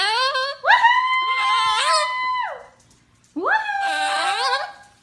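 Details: Pet cockatoo talking indoors, giving two drawn-out, voice-like utterances that rise sharply, then hold steady, nasal and harmonic-rich, each over a second long, with a short gap between.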